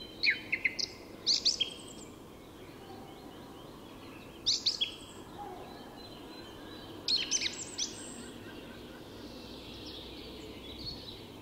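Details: Song thrush at dawn, Tyresta National Park, Sweden, singing short phrases of sharp, high notes, each motif given two or three times in quick succession before a pause, over a gentle hiss.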